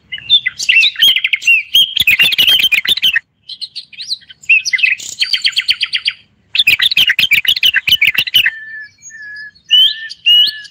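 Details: Moroccan bulbul delivering dense, fast chirped phrases in several bursts, then a few lower, clear whistled notes repeated near the end.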